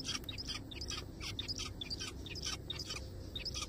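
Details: Zebra finches in a forest, a dense run of quick overlapping nasal chirps and squeaky notes filling the whole stretch, possibly several birds calling together.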